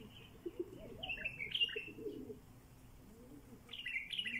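Bulbul giving bright, chirpy notes in quick bursts, with a short phrase near the start and another near the end. Low cooing and wingbeats sound beneath.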